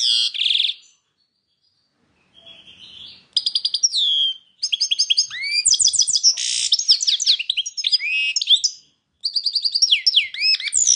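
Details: European goldfinch song with a short twitter, a pause, a soft buzzy note, then long bursts of rapid tinkling twitters, trills and chattering phrases separated by brief silences.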